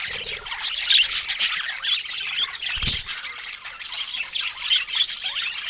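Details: Budgerigar song of fast chirps, scratchy squawks and thin whistles in an unbroken run, with a brief low thump near the middle.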